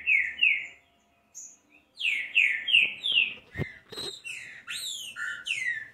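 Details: Green-winged saltator song used to get a bird singing: rich down-slurred whistles in quick series, a pause, then more whistles mixed with sharp clicks and higher looping notes.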